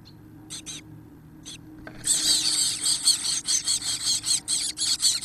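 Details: Chestnut-backed chickadee (Poecile rufescens) chicks, 17 days old and 4–5 days from fledging, beg while being fed: a few sparse squeaks, then a rapid chorus of high, hissing, buzzy notes pulsing about twice a second.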